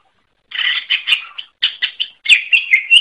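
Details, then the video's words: Greater green leafbird (cucak ijo) singing energetically in a training recording for songbirds: bursts of rapid chattering, buzzy notes at mid-high pitch, then clearer whistled slurs near the end, with short pauses and a quiet background. "Suara Burung Cucak Ijo | Gacor"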